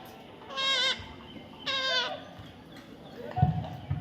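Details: Baby parrot calling twice, each call a harsh, wavering, nasal squawk of about half a second with a pause between, followed by faint rustling and low thumps.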